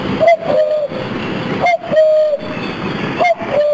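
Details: A common cuckoo in France by the canals responds to a human imitating its call, giving its two-note falling 'cuck-oo' about every one and a half seconds over a steady engine-like rumble; it was flying about the treetops overhead.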